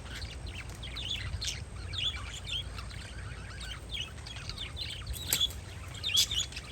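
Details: Outdoor flock of parakeets on a windy day chattering continuously with high, twittering chirps and squeaks, a few louder sharp notes near the end, over steady wind noise.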